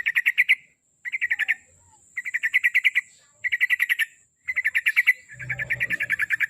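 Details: Trucuk, the yellow-vented bulbul, heard in lure song for training a kept bird to sing: six clean bursts of quick repeated notes, each under a second, separated by short silences, with a faint low rumble at the end.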